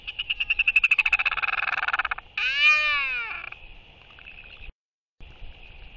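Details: Royal albatross pair in a courtship display, one bird welcoming its incoming mate with skycalls, 11.6.23: a fast run of rasping pulses, then a rising and falling harmonic wail, fading into a faint steady hum.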